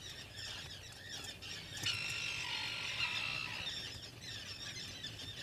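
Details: A black guillemot at its breeding burrow, filmed by a burrow cam in 2022, gives a thin, high, steady whistle of about a second and a half, then a shorter whistle, over soft hiss.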